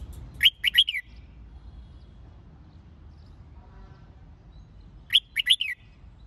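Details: Red-whiskered bulbul song used to fire up birds for singing contests: two short bursts of three to four sharp, sweet whistled notes about four and a half seconds apart, with quiet background hum between.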